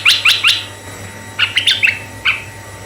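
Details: Red-eyed bulbul song used as a lure for male and female bulbuls: three quick bright chirps, then a looser run of softer warbling notes ending in one single note, low hum beneath.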